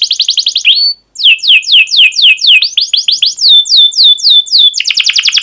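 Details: Canary song used as a tutor recording for young canaries learning to sing: loud, high, rapid downward-sweeping whistled notes repeated in fast series, then steady chirps and a quick trill at the end, with no other sounds.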